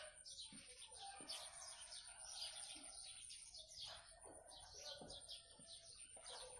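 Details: Blue-crowned hanging parrot singing actively: dense, high, thin chirps and short squeaky notes crowd the whole stretch, some in quick runs, over a steady high electronic whine.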